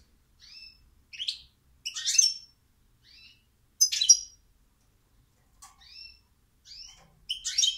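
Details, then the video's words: European goldfinch singing in a quiet setting: short whistled notes, some slurred downward, mixed with bright buzzy twittering bursts, delivered in separate phrases about every second with clear pauses between. "Goldfinch Song"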